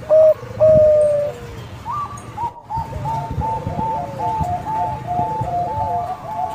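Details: Song of a young Bangkok-type zebra dove played as a lure for other doves: two loud drawn-out notes, a brief gap, then many soft overlapping cooing phrases over low rumble.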